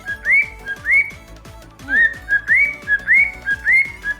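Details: Pet cockatiels indoors, just awake after being sleepy in the dark, whistle a mimicked tune toward the owner's ear: repeated rising whistled phrases near two kilohertz-like pitch, about two per second, over faint background music.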